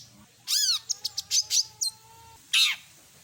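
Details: Long-tailed shrike with mimicked phrases: a loud arching harsh note, quick clicks and chirps, a thin level whistle, then another arching harsh note.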